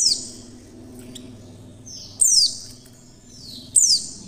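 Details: Repeated high, descending chirps from a female Oriental white-eye, a lure call to set other white-eyes singing, about every one and a half seconds over a noticeable low background hum.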